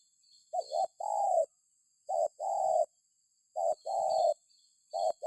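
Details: Spotted dove calling, played as a lure so other birds answer: low hollow coos, each phrase a short doubled note then a long sustained coo, repeated four times roughly every 1.5 seconds over a steady faint high whine.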